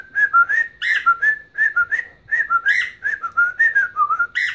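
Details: Captive bird whistling its version of Chelsea Dagger while dancing: continuous clear whistled notes that dip and rise in a bouncy, repeating melodic pattern in a quiet indoor setting.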